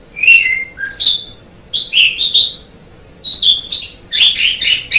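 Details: White Asian pied starling song of short separated phrases: clear whistles, some gliding downward, mixed with scratchy chirps, four or five bursts spaced by quiet gaps.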